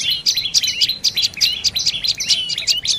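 A Dark-necked Tailorbird gives rapid, high chirping notes, roughly three or four a second, with quick sharp rising and falling twitters throughout.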